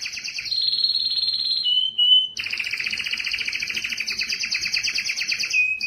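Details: Canary song meant to excite females for breeding, with high whistled notes sliding down, a short pure tone, then a long fast buzzy trill sustained for several seconds.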